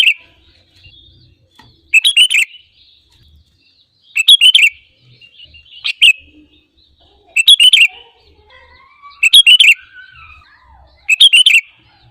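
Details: Lure recording of a vigorously singing sooty-headed bulbul meant to prompt other birds into song: brief bubbly chattering phrases repeated roughly every two seconds, six bursts in all, with a fainter lower whistling bird between them.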